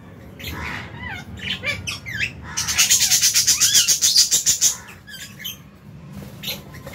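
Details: Colony of lovebirds, Fisher's, albino and lutino among them, eating in an aviary in January 2023; busy overlapping chirps build into a fast, even run of rapid shrill notes lasting about two seconds, then fade.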